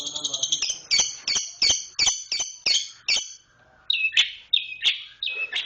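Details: Long-tailed shrike (cendet) performing fast, tight 'roll speed rapat' song: a run of ringing, doubled high notes in quick succession, a short gap, then several harsher squeaky phrases.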